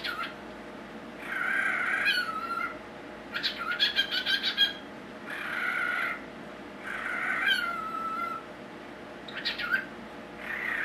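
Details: A pet cockatiel (Nymphicus hollandicus), female, mimics a ringing phone in repeated bursts of buzzy, warbling notes with quick trilled edges; she also talks.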